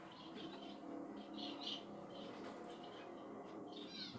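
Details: Finches giving short high chirps and twittering notes in bursts, some clustered and some spaced out, over a steady low background hum.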